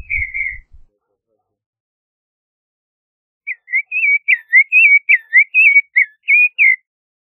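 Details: Creamy-bellied thrush giving one drawn whistle, then after a silence a rapid chain of about a dozen short, hooked whistled notes.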